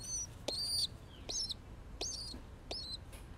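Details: A baby pigeon being cuddled gives four thin, high squeaky peeps, each bent and wavering, spaced a little under a second apart, with faint background hiss.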